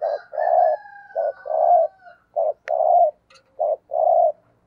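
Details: Spotted dove kept as a decoy bird, giving the 'thúc gù' urging coo: a run of low, hollow coo notes, short and drawn-out, alternating in uneven rhythm, with a faint steady whistled tone beneath the first two seconds.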